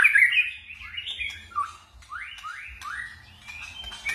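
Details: Forest-voice song of a white-rumped shama: rich tumbling whistles at first, then a series of rising swept notes repeated about every half second, ending in thin high twitters.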